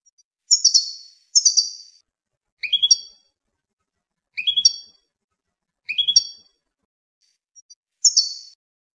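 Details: Tunisian European goldfinch song made of short, bright descending twitters alternating with repeated rising three-note chirp phrases, each phrase set apart by brief silences.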